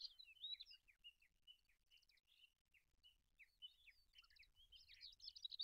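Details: Olive-backed pipit (Anthus hodgsoni), a bird kept for training other songbirds, singing a rambling high song of thin chirps, trills and short buzzy notes, fairly continuous, with light background hiss.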